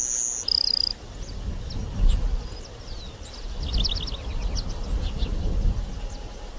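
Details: Grassland Sparrow singing: a thin, very high whistled note, then a slightly lower one, followed by faint, rapid, insect-like trills, all over strong low rumbling background noise.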